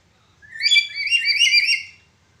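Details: Black-capped lory in 'broken voice', a call used to train other birds: a single rich, wobbling whistle lasting about one and a half seconds, bright and slightly rasping, over a faint low background hum.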